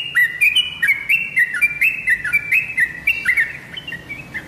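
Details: Yellow-vented bulbul lure song meant to make kept birds answer: bright, liquid chirping notes repeated rapidly, about four per second, with short bubbly rising and falling twists, over faint low background hum.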